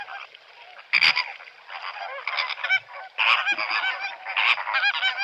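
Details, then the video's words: Greater flamingos give a dense chorus of nasal, goose-like honks and gabbling calls, overlapping and repeated in quick bursts throughout. "Bird Calls from Greater Flamingo"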